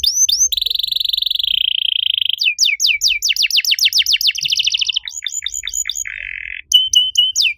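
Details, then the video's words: Canary master song used to coax other canaries that have stopped singing; rapid descending whistled sweeps, buzzy trills and fast repeated notes in quick succession, all high-pitched with steady low background hum. "MASTERAN KENARI AMPUH BUAT MANCING KENARI LAIN YANG MACET BUNYI! - CANARY SINGING"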